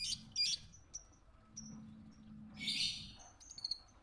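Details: Lovebird song recorded for teaching other birds: quick shrill chirps open the clip, then short thin whistles and a dense burst of high twittering, with a soft low drone beneath.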